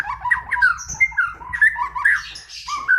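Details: White-rumped shama delivering a dense warble of tumbling mid-pitched whistled phrases, rapid and varied, with brief chirps and no pauses.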